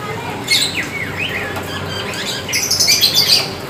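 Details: Black Oriental magpie-robin singing vigorously: clear whistled phrases and sharp rising and falling notes with a burst of high scratchy notes near the end, over a steady background hiss.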